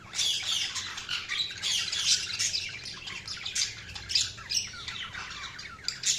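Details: Budgerigars chirping: a dense, continuous stream of rapid high twittering notes and short scratchy squawks from several birds, overlapping without pause.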